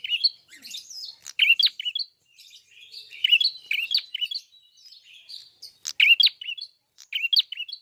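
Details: Energetic full song of a good-quality Red-fronted prinia: repeated bursts of sharp, high chirps and warbled twitters, each phrase about a second long with brief gaps between them.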